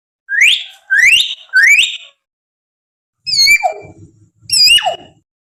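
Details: Wild common hill myna calls used to prompt captive birds to sing: three rising whistled notes, then two loud notes sliding sharply downward, with low background thuds.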